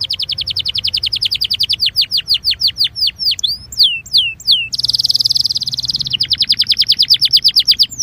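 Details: Belgian canary song for warming up canaries: evenly spaced falling chirps that speed into looping downward glides, a dense buzzing roll, then another long run of rhythmic falling notes.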